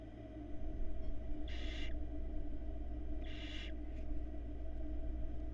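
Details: Barn owl nestlings in a Florida nest cam, hatched in February 2022, resting while their mother takes a break. Two harsh, breathy hissing bursts, each under half a second and spaced nearly two seconds apart, over a steady low hum.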